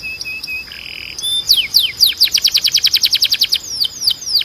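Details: Canary song used for training other canaries: a rapid rolling series of bright downward-sweeping notes, about four per second, after short whistled tones and a flat buzzy trill, with a faint steady high tone throughout.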